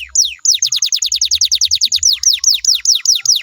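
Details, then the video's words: Canary singing as a lure to prompt other canaries to answer, a steady run of quick, sharply falling whistled notes, about two or three a second, over faint low thumping. "DI JAMIN KENARIMU BAKAL IKUT NYAUT KALO DENGERIN SUARA INI"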